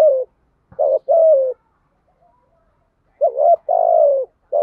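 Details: Decoy spotted dove cooing to stimulate other males to sing: low, hoarse coo notes in short bursts, a quick pair, then a longer drawn-out coo after a silent pause, with a softer faint murmur between phrases.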